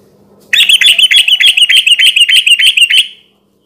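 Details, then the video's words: Sooty-headed bulbul in 'garuda ropel' rapid song, played as a lure at night: a loud, tight burst of bright chirps, over three per second, lasting about two and a half seconds, then stopping abruptly. "kicau suara burung trucukan gacor garuda ropel ini cocok buat pancingan trucuk bahan di malam hari"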